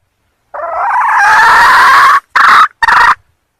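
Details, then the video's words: Female Sumatran red junglefowl giving a call to attract males; a long strained rising note of nearly two seconds, followed by two short loud notes in quick succession. "suara kokok ayam hutan betina pemikat ayam jantan"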